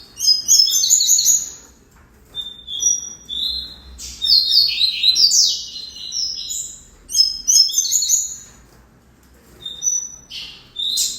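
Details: Double-collared seedeater song in repeated phrases of rapid, high whistles, chirps and buzzy downward slurs, each phrase lasting one to two seconds with brief gaps between. No other sounds are clear.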